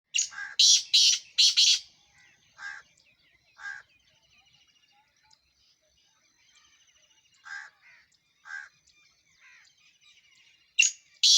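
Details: Black francolin in Sindh calling with loud, harsh, grating notes grouped in a rapid phrase, followed by isolated lower notes every second or so, with faint twittering of other birds in the background.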